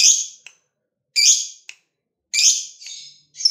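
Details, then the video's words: Caged fighter lovebird calling to spur other lovebirds into song: three loud rasping high chirps about a second apart, each trailed by a tiny click. "BANYAK LOVEBIRD LANGSUNG BUNYI SETELAH DENGAR SUARANYA"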